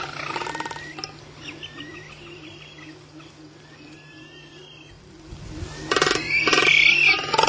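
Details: A male Magnificent frigatebird displaying in a colony on Seymour, Galapagos Islands, on 21 August 2005, gives harsh, rapid rattling bursts at the start and again near the end, with faint thin whistles between and a low steady hum underneath.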